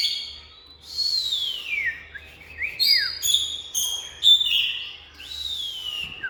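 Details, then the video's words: Oriental magpie-robin song: a series of loud, clear whistled phrases, long descending slurs mixed with short sharp notes and brief pauses, over a quiet low hum. "Bird Oriental Magpie-Robin| Birdsong"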